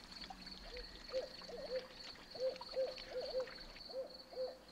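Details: Barred owl in a wooded swamp, hooting: a run of short, mid-pitched hooting notes in uneven clusters over a steady high insect-like whine and faint trickling water.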